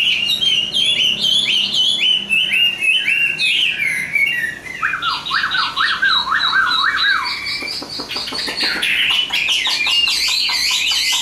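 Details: Long, varied song of a Chinese hwamei with good form and voice: quick repeated whistled notes, a sudden high shift, then zigzagging phrases, with faint voices later.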